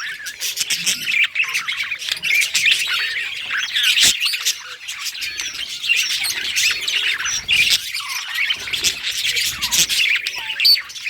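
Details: Happy budgie song: a steady, crowded stream of high chirps, twitters and scratchy squawks that barely pauses, with a sharp click at about four seconds.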